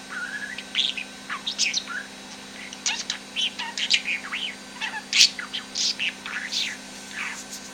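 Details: A pet male budgerigar (Melopsittacus undulatus) talks and chatters in a fast, scratchy warble of high chirps, squeaks and short whistled phrases.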